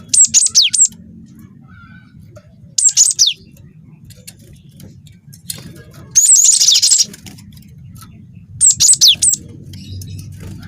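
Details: Juvenile cinereous tit of the wingko kind, singing as bait to make other birds sing. Four well-spaced bursts of high, quick descending notes, one a dense buzzy rattle, with near-silent gaps and a soft low hum between.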